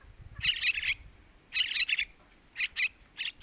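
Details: Young yellow-vented bulbuls begging, a lure for males: three quick raspy chirp clusters, the first two bursts of several notes, then shorter paired notes.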